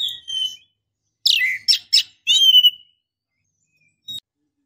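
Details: Female oriental magpie-robin calling to the male, used to rouse him to fire up, sing or mate: a burst of harsh, raspy chattering notes followed by a clear falling whistle, then a brief sharp chip after a pause; no other sounds.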